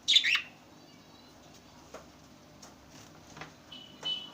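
A budgerigar gives a loud, harsh, warbling chirp, then softer clicks and a thin whistle.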